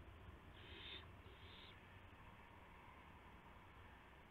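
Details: Owl calling at 2:51 AM on April 2, 2016, while bringing a gopher to its mate on a live camera: two short, harsh, hissing screeches about half a second apart over steady low background hum.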